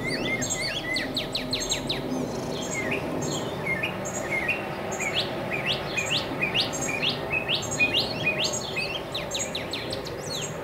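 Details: Male northern mockingbird perched atop a tall mesquite in central Arizona pours out a long, varied song of sharp high chirps, downslurred notes and quick rattles, phrases changing every second or so, over faint insect and background hiss.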